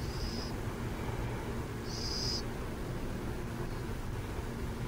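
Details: Two high, breathy screeches from burrowing owls in San Jose, the second longer and stronger, about a second and a half apart, over a continuous deep drone of vehicles.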